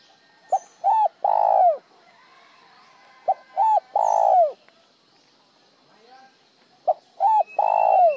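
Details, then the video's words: Spotted dove cooing in a style called 'một hậu lỡ' (broken single tail note), also sung with a tail or plain. Three phrases: a short note, a quick double note, then a long mellow coo that falls at the end. Faint distant birds. "Tiếng chim cu gáy gọi một hậu lỡ , lúc một hậu lúc trơn"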